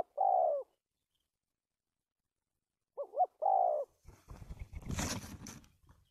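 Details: Spotted dove used as a decoy bird for trapping, stuttering-style coo, recorded 1 March 2019: low, mellow coos, a short hiccuping double note then a longer hooting coo, followed by rustling, handling noise.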